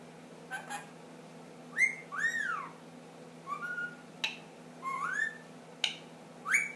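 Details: Pet ring-necked parakeet, ten months old, whistling the Addams Family song indoors: upward-sliding whistles and arched swooping notes alternating with crisp snap-like clicks, spaced irregularly over a low background hum.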